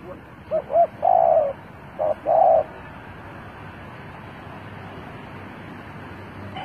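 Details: Decoy spotted dove luring wild birds gives a quick pair of soft notes, a long trembling coo, then another short note and a final extended coo, followed by several seconds of low background noise.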